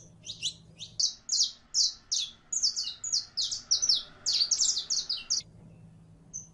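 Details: A female canary in heat, calling for a male to breed, gives a long run of loud, high chirps about three per second, each note slightly buzzy, ending in silence and one last faint note.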